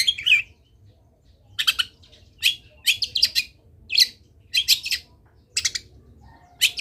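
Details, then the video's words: Energetic Long-tailed shrike song, full of fill phrases, meant to coax other shrikes into singing: clusters of rasping, chattering notes separated by short pauses, over a soft low hum. "CENDET GACOR BIKIN BURUNG CENDET LAIN IKUT BUNYI - MASTERAN CENDET GACOR FULL ISIAN"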